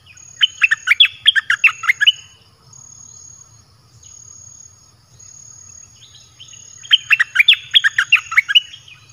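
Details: Caged red-whiskered bulbul song used to lure wild birds: two bursts of rapid, bright chirped notes dipping and rising between low and high pitch, separated by a quiet gap with faint high hiss.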